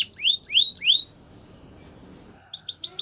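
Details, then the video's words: Yellow canary singing in the morning: three sharp high downslurred notes, a pause of quiet background, then a quick burst of rising chirps at the end. "Yellow Canary Singing In The Morning"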